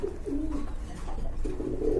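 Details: Indoor pigeons for sale giving deep, burbling coos in short phrases, set against a heavy low rumble that runs throughout.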